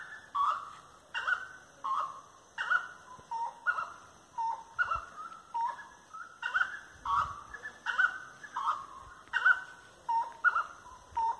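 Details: At dusk on 25 March 2022, 18:30, a Grey-necked wood rail sings firmly beside tree-lined paths: rhythmic repeated nasal hooting phrases, alternating higher and lower notes, pulsing about every second with brief pauses.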